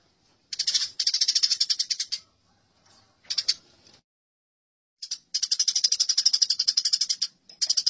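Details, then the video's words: Eurasian tree sparrow in a fight: bursts of fast, buzzy chirping, with a short isolated outburst, then a long, steady chattering run after a silent gap. "Masteran Gereja Tarung || Gereja Tarung"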